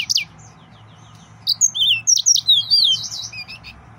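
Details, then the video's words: Excited male yellow-fronted canary singing a rapid high twittering phrase of sliding, whistled and chirped notes after a brief opening chirp, with a faint low hum behind. "تغريد مرعب سورا الموزمبيقي"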